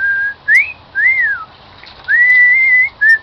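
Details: Pet cockatiel, a new member of a live band household, whistling the tune "Song of the Garden": clear whistled notes that arch up and down, then one long steady held note and a short closing whistle.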